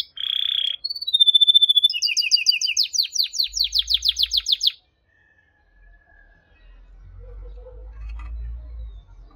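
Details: Canary singing: a steady whistled note, a short falling glide, then rapid rising trills and buzzy repeated phrases for about five seconds before the song stops, leaving quiet low background rumble.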